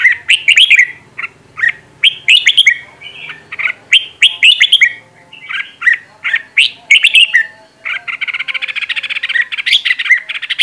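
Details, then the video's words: Red-whiskered bulbul song used for training a bird's voice: rapid bright chirps and slurred whistled notes in quick bursts, ending in a dense trilling run. "Luyện Giọng Chào Mào Mồi - Chào Mào Giàn Đạt Căng Lửa"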